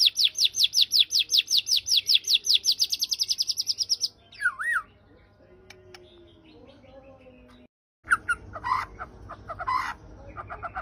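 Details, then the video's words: White-rumped shama with a harsh-style song fill: a fast series of about thirty high, evenly repeated notes for four seconds, then a looping whistled phrase, a low drawn tone, a short silence and scattered sharp chirps. "Murai batu isian KASAR"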